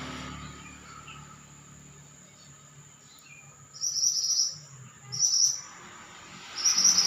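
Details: Pied bushchat singing: a quiet stretch, then three brief, high, sizzling trilled bursts about a second apart near the end, over light background noise and a faint steady tone.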